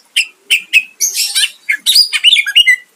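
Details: Rival-provoking song of a greater green leafbird: three separate short chips, then a rapid, rich run of grating notes and clear, down-slurred whistles lasting about two seconds.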